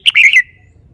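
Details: Caged red-whiskered bulbul giving a brief, bright warbled phrase of slurred whistles that fades into a thin trailing note.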